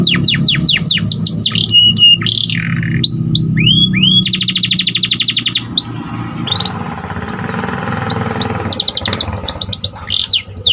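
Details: Canary song used as a master recording for training: fast series of descending whistles, a buzzy sustained trill, then varied upward sweeps and repeated chirps over a background hum.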